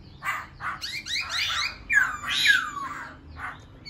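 A laughingthrush sings a rich, varied run of slurred, bubbly phrases, mid-pitched notes tumbling into a long clear downward whistle, with no other sounds prominent.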